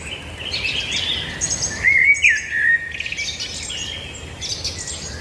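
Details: Several birds singing together: overlapping high chirps and twittering, with a louder slurred whistled phrase that rises and falls near the middle, over a steady soft background hiss.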